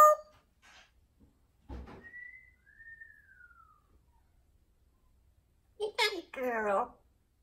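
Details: Pet female parrot indoors whistles a long, smooth note that slowly falls, followed after a pause by quick chattering, speech-like syllables. A soft thump is also heard.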